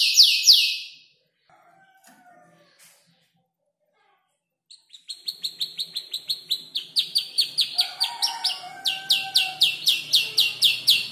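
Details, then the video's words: Young canary, about five months, learning song from tutor birds such as ciblek, klik-klik and prenjak lumut; a loud opening phrase, a quiet pause with faint soft notes, then accelerating sharp chips about four per second. "Kicau burung kenari gacor noto lagu U 5 bulan"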